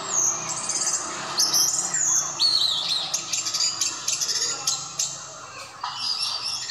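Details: An Orange-headed thrush in intense, ecstatic song gives an unbroken, rich stream of high, varied whistles, trills and slurred phrases that shift quickly, with no pauses and no other clear sounds.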